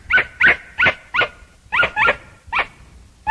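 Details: Chachalaca (aracuã) calling in loud, harsh, clipped notes with bright harmonics, repeated about three times a second, some doubled, in a rhythmic series.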